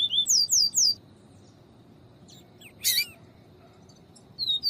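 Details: Double-collared seedeater singing in the viviti style alongside female calls meant to excite the male: rapid bright downslurred notes at the start, one loud sharp chip midway, and another phrase beginning at the end.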